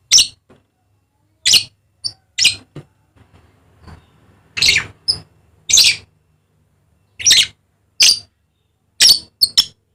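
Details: Dusky lory, endemic to Papua, repeating short, raspy shrieks in loose clusters of two or three across the recording, with quiet gaps between and little background noise.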